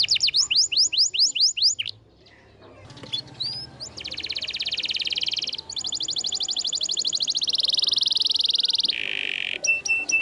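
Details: Energetic canary used as a song model for canaries that stopped singing: quick descending notes, a brief lull, then a long sustained rapid trill shifting into a lower buzzy roll and a few final chips.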